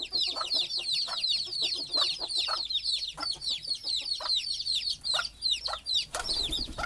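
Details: Chicken chicks at night struggling up to sleep with their mother hen perched on a stick on the nest: a thick stream of high, descending chirps, repeated fast, with faint low clucks and a noisy scrape near the end.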